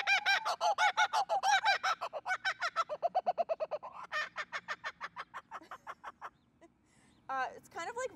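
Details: Captive two-year-old female Laughing Kookaburra at a zoo, calling to establish territory with the bushman's alarm clock: rapid bursts of loud, harsh cackling notes, about three per second, slowing and fading, a brief pause, then a final raucous burst.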